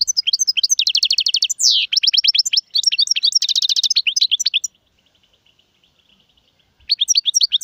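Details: Lively European goldfinch song, styles named Serfati, Gzirati and Tserseer: dense high twitters and rolling trills broken by a buzzy downslurred rasp, a two-second quiet gap, then the chirping resumes.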